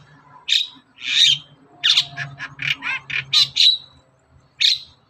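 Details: Lure recording of a long-tailed shrike singing in the morning: loud rasping bursts and short buzzy notes in an uneven cluster, with pauses between, over a low hum.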